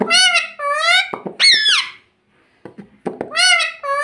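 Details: Pet parrot talking, mimicking human words in a high, clear, voice-like tone: three drawn-out vowel phrases with a sliding middle syllable, a short pause, then softer clicks before a final long word, indoors in a small room.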